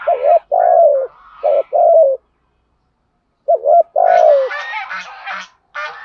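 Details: Spotted dove decoy bird giving 'thúc gù' cooing in the 'giọng thổ' style, used to excite wild males: mid-pitched hollow coos in short bursts, a pause, then more coos ending in harsher, raspier broadband notes.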